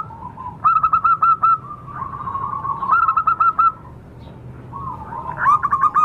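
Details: Wild local zebra dove sound for luring birds: three phrases of clipped, rhythmic coos separated by quieter cooing from other doves in the background.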